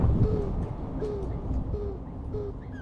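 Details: Mourning doves communicating: one gives four soft, low, hollow coos, each slightly falling and spaced under a second apart, over a steady low rumble with faint chirps of another bird.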